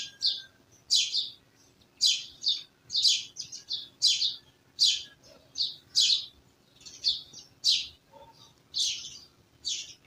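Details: Village birds chirping steadily outdoors, with a long string of sharp high chirps repeated roughly once a second and an occasional fainter low note.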